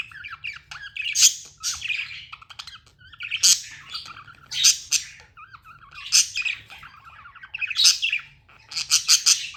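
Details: Budgie chatter in regular bursts roughly every two to three seconds, each a scratchy warbled phrase rising to a loud squeak, quiet hum between.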